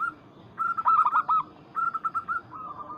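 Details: A local zebra dove calls a rival with a steady sustained coo, then a quick rolling burst of notes, and finally a softer stuttering series at the same pitch.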